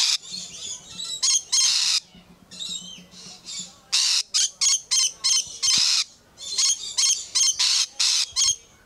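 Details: Lorikeets at Lion Country Safari in Florida, a couple squabbling or fighting a little, then one squawking close up: harsh, high, screechy bursts repeated rapidly in irregular runs, with a low steady hum underneath early on.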